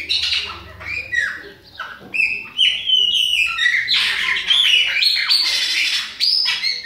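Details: Young Chopi blackbird from Bahia in autumn singing a lively sequence of whistled slurs, sharp chirps and harsher notes, loud and nearly continuous with short gaps.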